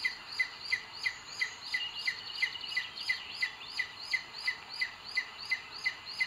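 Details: Booted eagle at a nest on a live nest camera in Sierra de Guadarrama, Spain, on 2 June 2022, as the male brings food for the female. Shrill, high, slightly arched notes come in a steady series, about three a second, over faint insect-like hiss.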